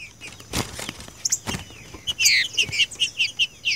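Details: Green-winged saltator song of the "seu Chico" type, offered as training audio for captive birds: after some soft flutters and knocks, a quick run of loud, clear whistled notes, about three per second, bright and ringing.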